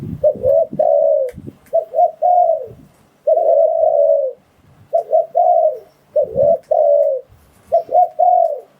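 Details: Luring call of a spotted dove for catching wild doves: short stuttering coos followed by a long, even, slightly falling coo, phrase after phrase, with occasional low thuds and rustles.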